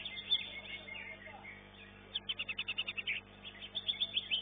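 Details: Greater green leafbird in an elite-class singing competition in Surabaya; scattered high chirps, then a burst of about ten rapid, evenly spaced sharp notes, followed by more quick repeated chirps.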